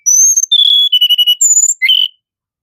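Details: Song of a Sunda robin: a sequence of loud pure whistles at stepped pitches, a high steady tone dropping to a lower one, then a fast trill, another high whistle and a closing chirp.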